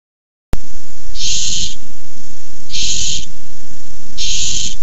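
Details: Barn owls on a nest camera squabbling in a food fight over a tiny mouse, 6-4-15: three harsh, breathy hissing bursts, each about half a second, spaced roughly a second and a half apart over a low rumbling background.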